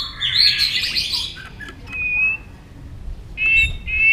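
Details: White-rumped shama in competitive song: a loud burst of jumbled high warbling, a pause with short steady whistles, then two bright piercing whistled notes near the end.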